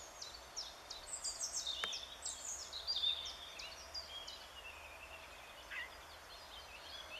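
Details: Eurasian jay giving its soft, sweet talk in spring, 25 April 2013; a quiet, varied run of high whistled sweeps and short chirps, densest in the first half, with a single sharp click near the two-second mark.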